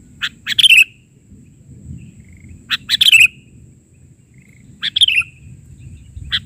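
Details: A sooty-headed bulbul sings lively 'bahari'-version phrases, each a short burst of chirps ending in a downward liquid slur, repeated roughly every two seconds over quiet background rumble.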